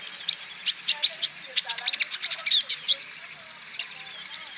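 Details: Olive-backed sunbird lure or therapy recording, meant to set sunbirds singing, with rapid, very high, sharp chirps and thin twittering notes in quick bursts, about two or three a second, and no other clear sounds.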